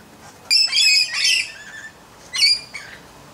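A red-collared lorikeet gives harsh, grating screeches: a second-long burst of rasping notes, then a shorter screech a second later, high and shrill throughout.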